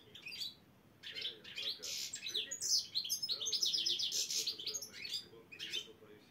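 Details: Goldfinch of the black-headed type competing in Saint Petersburg qualifiers with chir-chir singing; after a short opening twitter and a pause, sustained fast tinkling phrases and rolling trills run to the end, with a faint low hum.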